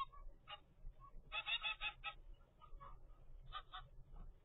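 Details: Young zebra finch, 25 days after hatching, kept in captivity. A dense, buzzy cluster of nasal begging notes peaks near the middle, flanked by single short honks, with low background noise.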